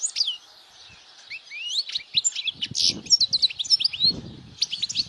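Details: European goldfinch singing loudly, played to attract females and to get young goldfinches to learn song; rapid twittering of thin whistled and buzzy notes, high-pitched, with quick up and down slurs, delivered in a continuous fast jumble.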